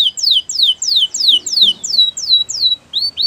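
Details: Canary singing a slow, regular series of loud downward-sweeping whistled notes, roughly three per second, ending with two short rising chirps.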